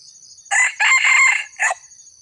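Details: Red junglefowl, an old bird, crowing as a lure to draw wild junglefowl in: a short, loud four-part crow with a burst, a long hoarse middle stretch and a clipped final note, over a steady high insect drone.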